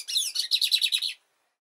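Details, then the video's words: A quick burst of Lined Seedeater song: about eight bright, rapid notes in a tight series, each a short sharp sweep, finishing cleanly after just over a second. "OS 7 CANTOS MAIS BONITOS E MELHORES DO BIGODINHO!"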